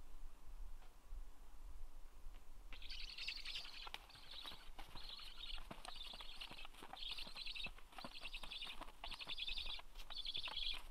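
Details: Black stork (Ciconia nigra) at its nest on 26 August 2022. Harsh, rasping bursts, each about half a second long, repeat steadily from the third second onward over a low rumbling background.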